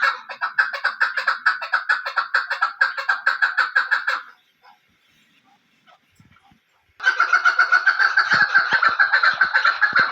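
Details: Hunting female chukar clucking in rapid repeated bursts of roughly three or four notes a second, pausing for about three seconds of near silence before the chattering series resumes.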